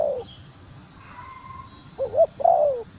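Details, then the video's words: Female spotted dove calling to stimulate a male: the tail of one coo, a pause with a faint steady tone, then a quick pair of clipped notes and a longer, sliding coo. "Cu Gáy Mái Thúc Gù Kích Trống Ức Chế | Tiếng Chim Cu Mái Gáy"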